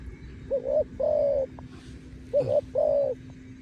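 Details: Near nightfall a dove coos in two paired phrases of level, hollow notes separated by a pause, over a low steady hum.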